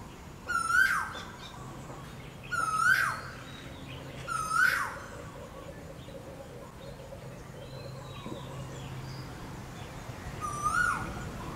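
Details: Mating call of an Asian koel: four clear rising whistles repeated roughly every two seconds, then a pause with faint distant bird notes, and a fifth whistle near the end; low rumble underneath.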